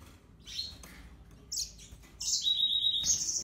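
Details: Yellow-fronted canary song: a few soft chirps, then a bright high burst and a long level high-pitched trilled phrase lasting about a second, with low background hum.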